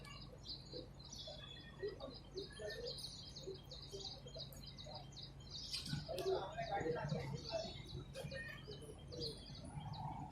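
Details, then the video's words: Wild songbirds in spring nature, a busy mix of rapid high chirps and lower warbled notes from several birds, growing fuller midway, over constant low background hum. "تغريد العصافير في الطبيعه"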